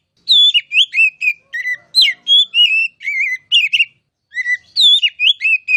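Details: Kacer (oriental magpie-robin) pouring out a rich song of quick whistles, warbled turns and sharp notes, breaking off briefly before starting again.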